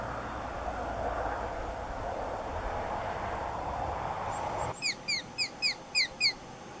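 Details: Wild female Blue Jay imitating a Sharp-shinned Hawk as an alarm, to alert other jays or deceive them: after a stretch of low rumbling noise, six rapid, evenly spaced, high, descending squealing notes.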